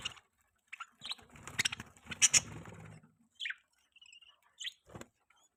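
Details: Budgerigar kept as a pet, calling in a mating context: a run of scratchy, high chirps and twittering notes, then scattered single whistled chirps, over faint low rumble.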